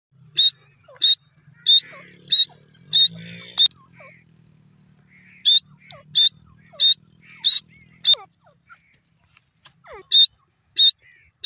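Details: Grey francolin, known locally as dakhni or sindhi teetar, calling: loud, sharp high notes repeated about every half second in short runs, with softer descending notes between runs and a low steady hum beneath.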